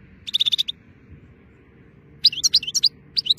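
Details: European goldfinch in nice weather giving a quick run of bright repeated chips, then after a pause a fast jumble of high tinkling, twittering notes that breaks off and starts again.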